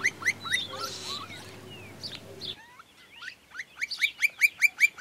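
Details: A Campo Flicker in rural areas and groves of Santa Fe, Argentina, in 2023, gives loud, sharp, rising notes, two or three per second, with a low hum and other bird chirps at first. The species has an alarm call and a duet call.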